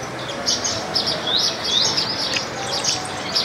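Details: Indian silverbills eating grains at a backyard bird feeder in India, with an Indian palm squirrel also feeding, give high, thin chirps and short upswept tseep notes, several birds overlapping in a steady, busy chatter over faint hiss.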